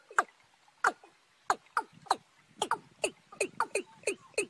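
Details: Watercocks, young and wild birds combined in a March recording: scattered sharp, descending knocks that build into a faster, uneven burst of notes over soft background chatter.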